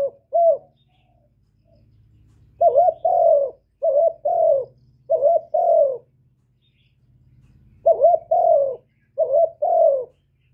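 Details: A kept spotted dove cooing, a call played to stimulate other kept doves, gives soft, low coos in paired and grouped phrases, each a hollow rising-then-falling note, repeated over ten seconds with a faint hum.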